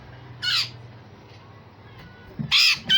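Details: Grey-cheeked bulbul with harsh rasping 'besetan kasar' notes, used to train other songbirds: one raspy burst, a pause, then two more harsh, broad squawks close together over a low steady hum.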